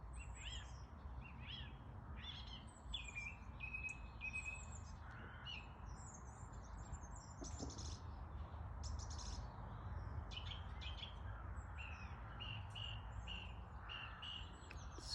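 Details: Spring birdsong from several birds, faint high chirps, twitters and short whistled trills overlapping throughout, set against a constant low rumble of background noise.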